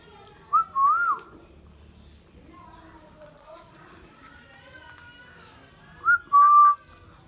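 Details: Indian ringneck parakeet talking: two short bursts of tonal, wavering, speech-like sounds near the start and end, separated by several seconds of quiet with faint low background murmur.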